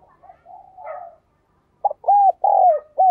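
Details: Soft, wavering cooing leads into a clear spotted dove phrase of four deep, rounded notes, the long third note sliding down before a brief final coo.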